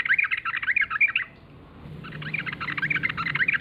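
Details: Lure call of the sooty-headed bulbul (trucukan), aimed at getting other bulbuls to respond: two harsh, squawky chattering bursts of rapid notes separated by a brief quiet gap.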